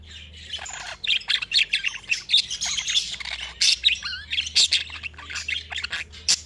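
A budgerigar warbles steadily, a dense run of scratchy chirps, clicks and squawky notes high in pitch, with a faint low hum beneath.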